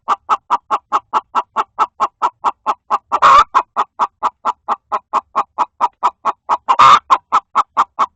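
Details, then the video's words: Hen in a coop, scolding another hen that is trying to lay an egg; steady, fast clucks, about four per second, running evenly throughout, broken twice by a louder rasping squawk. "Funny Chickens sounds"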